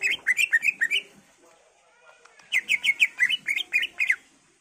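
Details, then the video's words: Greater green leafbird singing a varied song used to get other leafbirds to reply: two rapid runs of about eight chirped, warbling notes separated by a quieter gap. "Cucak ijo gacor full isian Variasi Cocok buat Pancingan agar Cak ijo lain Nyaut dan Gacor"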